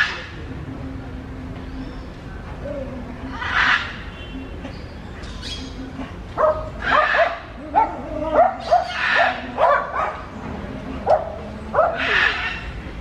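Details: Macaws feeding on clods of earth: sparse harsh squawks at first, then a quick run of short, grating, slightly rising calls, with a steady low hum underneath.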